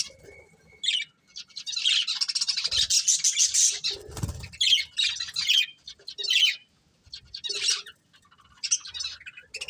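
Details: Chattering budgerigar pair, breeding together, pours out fast gritty warbles and squawks; a wing flutter and thump sound partway through.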